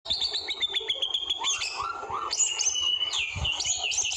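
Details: White-rumped shama singing in the forest in the trotol style: quick clicking notes lead into varied clear whistles, slurred rising and falling phrases, and high bright notes, delivered rapidly without pause.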